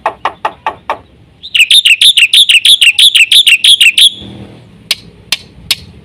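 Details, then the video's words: Black-winged myna singing in 'gacor full isian' style: five harsh rasping notes, then a fast series of about fifteen loud, ringing, high chattering notes, closing with a few sharp isolated ticks. "suara jalak putih gacor full isian"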